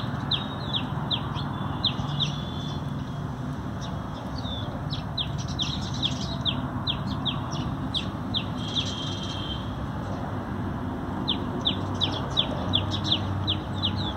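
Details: Sparrows at a feeding spot, a conservation effort, 19 November 2020: bursts of quick overlapping chirps from several birds, a pause in the middle, then more chirping, over steady low rumble.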